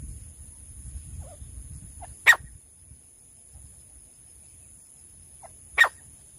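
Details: Female francolin from bush habitat, sound used for hunting: two isolated, harsh, scratchy notes about three and a half seconds apart, each with a faint soft note just before, over a steady electronic whine.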